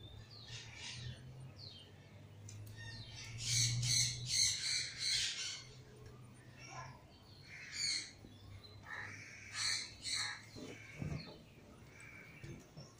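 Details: Pair of green-winged macaws give loud, harsh squawks in uneven bursts every second or two, over a low steady hum.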